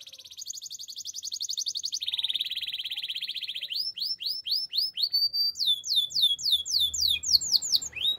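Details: Belgian canary song meant for training young canaries, opening with long rapid rattling trills on steady pitches, then moving into bright, looping swept whistles repeated in quick succession.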